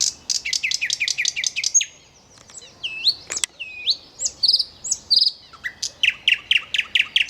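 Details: Nightingale singing: a rapid burst of high repeated notes, then varied whistles, upslurs and sharp clicks, ending in another fast series of descending notes; clean, quiet background.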